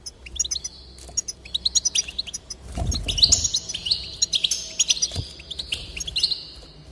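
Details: Goldfinch song meant to encourage singing: fast tinkling twitters and short buzzy trills high in pitch, with a louder jumbled burst near the middle and low thumps beneath.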